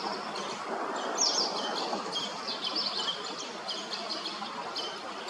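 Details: Common linnet male feeding late fledglings as big as himself beneath a bridge in Hrodna, western Belarus, 12 September 2025; quick high chirps and one sharp squeak amid loud continuous background noise.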